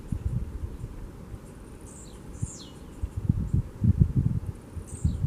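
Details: Blue-black grassquit (tiziu) in the wild, giving several short, high, thin notes that slide steeply downward, spaced irregularly. Gusty low rumble and rustling bursts dominate the background.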